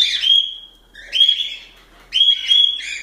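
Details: Pet cockatiels calling: three loud, whistled, slightly rising calls with a harsh edge, about one each second, separated by brief quiet gaps.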